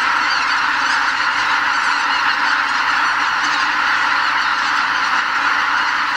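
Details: Around 80,000 greater white-fronted geese stage at a Hokkaido wetland on their way north in spring and leave the roost before sunrise; many overlapping high honks form a continuous, slightly swelling clamour.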